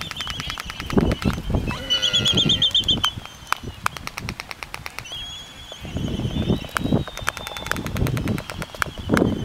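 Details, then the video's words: Black-footed albatrosses courting on Midway Atoll in 2010: rapid dry bill-clacking in bursts, a brief warbled whistle and high thin tones, with wind and flapping wings behind. "Black-Footed Albatross Courtship"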